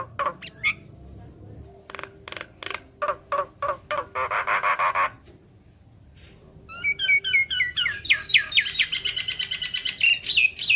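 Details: Javan myna singing energetically with head-nodding, a recording meant to prompt other mynas to reply. Dry clicks repeat at first, then a harsh rasping stretch, a pause, and a fast chattering run of sharp, twisting notes.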